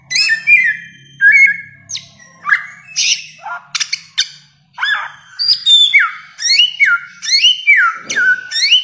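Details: A bare-throated whistler, a bird endemic to Nusa Tenggara and known as the "1,001-voice" bird, sings a long, rich, varied run of loud whistles, downslurred notes and harsh chattery bursts almost without pause, over a faint low hum.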